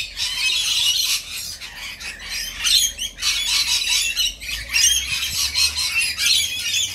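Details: Rainbow lorikeets (Trichoglossus moluccanus) being fed screech and chatter almost without pause: harsh, shrill, grating squawks from several birds overlapping in a dense, noisy din.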